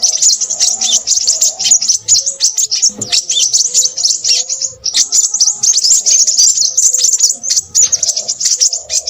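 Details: Noisy, energetic Crimson sunbird song, a continuous high-pitched stream of quick chips and thin trills that barely stops, with a soft lower warble in the background.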